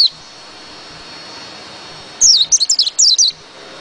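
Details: After a long quiet stretch, a white-eye bursts into a quick run of about eight high, thin, falling whistled notes lasting around one second.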